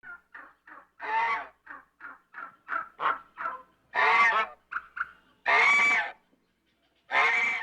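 An African goose gives a run of short nasal honks, then several longer, louder, harsh honks, in an irregular series with brief pauses.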